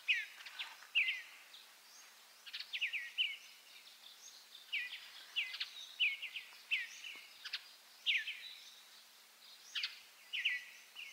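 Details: Western bluebird giving short, soft chirps and slurred chattering notes in loose bursts, one cluster roughly every second, over a faint steady high hiss.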